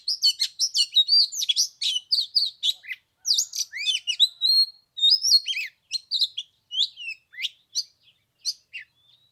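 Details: Oriental magpie-robin, kept lure bird singing on the third day of Tet in 15-degree cold, sung to draw wild birds to fight: rapid run of varied high whistles, chirps and slurred notes in quick bursts, with brief pauses.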